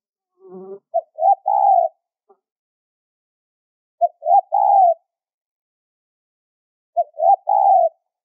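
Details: Spotted dove high-pitched lure call for trapping, three phrases of a short note, rising note and long coo about three seconds apart, with a brief buzzy sound before the first phrase.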